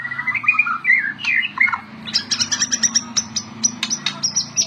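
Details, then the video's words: White-rumped shama in energetic gacor singing: warbled mid-pitched phrases give way to a rapid, high, repeated ticking chatter, with a low hum underneath. "SUARA OCEHAN BURUNG MURAI BATU GACOR UNTUK MASTERAN MURAI"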